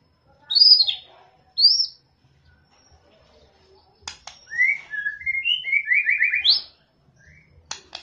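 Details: White-rumped shama song used to provoke a bird that sings little: two sharp high whistled phrases, a pause, then a rippling series of falling and rising whistles ending in a steep upsweep, with clicks between.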